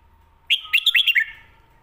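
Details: Red-whiskered bulbul song in the 'stir-fried noodles' or 'shaking bottle' style, played to teach pet birds at home: a single brisk phrase of five or six liquid, bouncing whistled notes over a faint steady hum.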